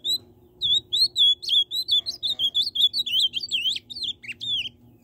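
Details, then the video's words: An ultramarine grosbeak delivers a fast, unbroken run of clear, high whistled notes that slur up and down for about four seconds, over a faint low indoor hum. "Azulão tucano"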